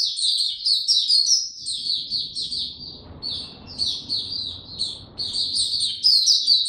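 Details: High, hurried warbling from a caged white-eye on no supplements, 29 April 2022. Twittering phrases run together, dip briefly, then resume, over a low murmur of room noise.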